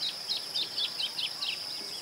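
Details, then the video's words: Masked yellowthroat in Ouro Preto, Minas Gerais, Brazil, giving quick, high, down-slurred notes in a chattering series of about eight, backed by a constant high insect whine. "Piá Cobra (Geothlypis aequinoctialis)"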